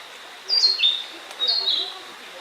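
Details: Narcissus flycatcher recorded on Mount Rokko: two loud whistled phrases, each a quick slurred warble dipping then rising, separated by a short pause.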